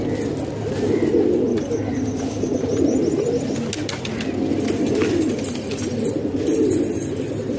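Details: Pet pigeons from Pakistan, kept indoors, coo in deep burbling phrases that rise and fade in waves, overlapping one another against a constant low rumble.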